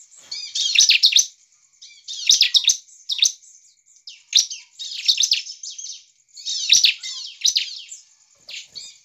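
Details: Energetic bar-winged prinia song meant to provoke other prinias into singing; fast, high, chattering and buzzy phrases of under a second, repeated roughly every half second to second, with clean silences between bursts.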